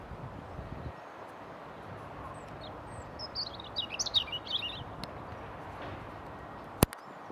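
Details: European robin in Ljubljana Botanical Garden on 22 March 2023 gives a short, thin, high warbling phrase of quick trilled notes, over a steady low background hum, with a single sharp click near the end.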